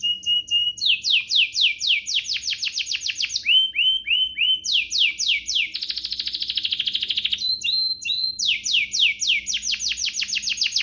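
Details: Canary song used to goad other canaries into singing, with long runs of rapid downward-sweeping notes, upturned whistles and a fast buzzing trill, delivered almost continuously.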